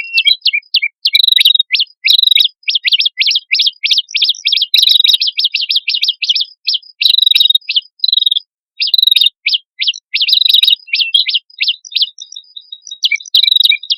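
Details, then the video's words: Red-headed prinia, male with female, singing energetically as a bird lure: dense high chattering notes delivered in repeated one-to-two-second bursts with short pauses, steady throughout. "Suara Prenjak Kepala Merah Jantan Dan Prenjak Kepala Merah Betina Gacor"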